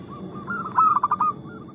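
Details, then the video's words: A single short, loud flurry of rapid staccato coos from a lively local zebra dove, praised for fast notes and a crystal-clear voice, rises above softer distant dove calls. "PERKUTUT LOKAL GACOR Nada cepat Suara keras kristal Bikin cepat bunyi ( Pancingan Burung Anggungan)"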